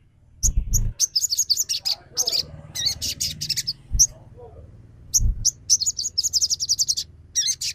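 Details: Sogon trotol, a sunbird, used as a lure to make a reluctant bird sing: excited, rapid high twittering chirps in long strings, broken by a few loud low knocks.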